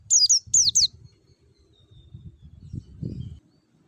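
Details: Forest white-eye song used as a lure for caged birds. It opens with three quick, high, downward-sliding notes in the first second, then a low muffled rumble continues.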